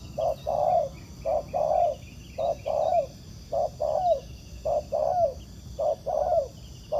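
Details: Wild spotted dove cooing in reply to a ground decoy during trapping: low hollow coos in pairs, a short note then a longer falling one, repeating steadily about once a second over a faint steady high hiss.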